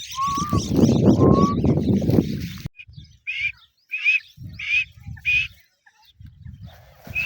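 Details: Grey francolin giving a series of sharp, upward-inflected notes repeated about twice a second, preceded by a couple of lower whistles over loud low rumbling noise, with soft thuds between notes.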